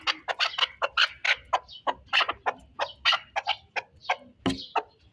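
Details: Chukar partridges from the Pamirs in a song display, giving a series of sharp clucking chuck notes in uneven bursts, roughly once a second, strong and clear with little background.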